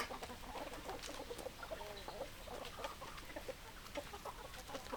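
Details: A group of chickens making soft, throaty clucks and murmurs, irregularly spaced and overlapping, against a continuous background rush.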